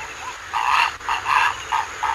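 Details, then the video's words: Purple heron uttering rough, grating croaks in quick pulses, about five harsh notes in two seconds, over a constant high-pitched whine. "Purple heron call"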